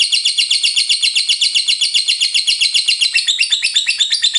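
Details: Lovebird in full ngekek, a long unbroken chatter: rapid buzzy high-pitched pulses, about four per second, running steadily throughout with no pause.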